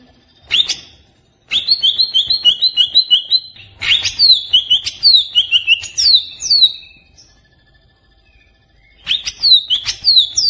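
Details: Agitated Cucak Ijo, greater green leafbird, sung as a lure to prompt pet birds: one short note, then quick repeated two-note chatter flowing into sharp falling whistles, a silent gap, and the song resuming.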